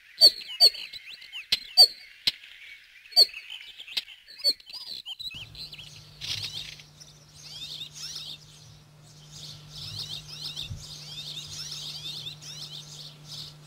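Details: Rock Sparrow (Petronia petronia), a rare or passage bird in Corrèze, France, giving chirpy, buzzy calls and twittering high notes, with a few sharp clicks early and a steady low hum from about five seconds on.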